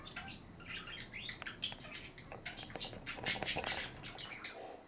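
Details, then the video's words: Several budgies chattering at once in a dense, continuous warble of squeaky, scratchy chirps and quick rising notes. "Hours of chatting budgies"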